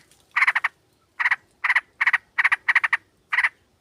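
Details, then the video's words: Sooty-headed bulbul, a female calling a male, recorded to lure birds. Harsh, rattling clusters of three or four rapid notes follow one another in quick succession. "Pancingan trucuk ombyokan"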